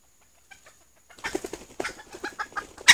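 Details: Decoy hen red junglefowl used as a lure, calling though startled: after a quiet start, a run of rough, rapid clucks rising and falling in loudness, ending in a sharp loud note.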